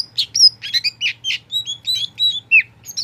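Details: Pet oriental magpie-robin, a tame kacer poci, delivers a lively stream of varied whistles, chirps and down-slurred notes in quick succession, with a faint low hum underneath.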